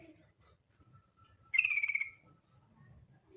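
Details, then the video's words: Female yellow-vented bulbul giving the ngetir call to summon a male. A single short, buzzy rattling trill of about half a second, slightly falling, stands out against quiet background rumble. "TRUCUK BETINA memanggil JANTAN ngetir"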